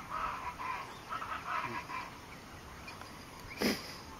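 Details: Campo flicker (Colaptes c. campestris) at Fazenda Santa Tereza, Pantanal, Brazil, 29 September 2013, calling about seven short, nasal mid-pitched notes in a quick two-second series, then a sharp knock; it was feeding nearby.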